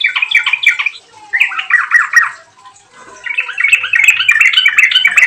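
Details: Yellow-vented bulbul in vigorous song, used as a lure recording to coax other bulbuls into singing: three bubbly, chattering phrases of quick slurred notes, each about a second long, separated by short pauses.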